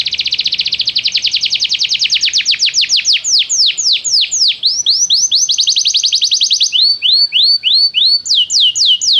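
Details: Canary song used as training to prompt a canary to sing: fast trills of rapid repeated high notes, shifting into slower swooping whistled syllables, then quick downward-sweeping notes, all loud and continuous.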